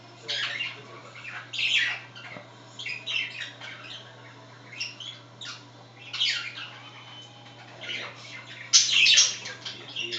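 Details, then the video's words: Pet budgerigars chatter while one scratches itself, in bursts of scratchy, buzzy squawks and warbles, high-pitched and irregular, with a steady low hum behind them. "undulater snackar"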